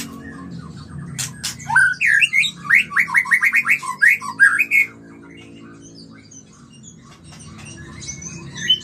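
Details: White-rumped shama mating song, used to stimulate birds to breed: a burst of rapid, varied whistled and warbled notes lasting about three seconds, over a steady low hum and faint background chatter.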